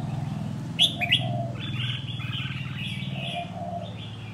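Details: Red-whiskered bulbul, wild-caught and after one year able to compete, gives two loud sharp whistled notes followed by a run of quick rolling warbles, set against a persistent low humming background.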